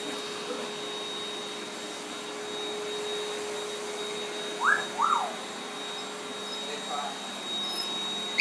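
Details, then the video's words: A young African grey parrot, not yet able to fly and just learning to whistle, gives two short, bright rising whistles half a second apart at the running vacuum cleaner he loves and rides on. "Young African Grey Parrot in love with vacuum cleaner, loves to ride it and whistle for it!"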